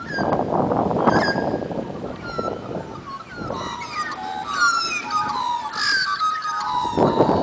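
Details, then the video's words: Magpies carolling in Dimboola, Victoria, Australia, a run of clear flute-like notes, short rising and falling whistles layered in bursts, with broadband rustling noise at the start and again near the end. "Magpies Singing - Dimboola"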